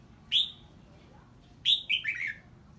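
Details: A red-whiskered bulbul gives 'ché' song in response to a strange bird's voice. One clear rising whistled note, then after a pause a tumbling phrase of three or four descending warbled notes.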